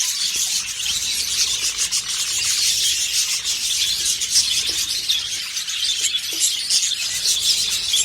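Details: Budgerigars mating chatter in a steady, high, scratchy warble with quick rasping notes.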